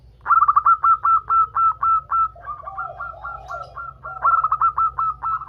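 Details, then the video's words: Several female zebra doves calling the male, a lure to make doves sing: overlapping runs of rapid, stuttering, clipped notes, with a softer lower voice interleaved midway, then a loud fresh burst near the end. "ombyokan perkutut betina memanggil jantan"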